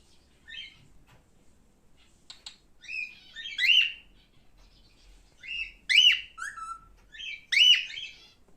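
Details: Male cockatiel producing soft chirps that build into louder, arching harmonic squawks, repeated about every one and a half seconds toward the end.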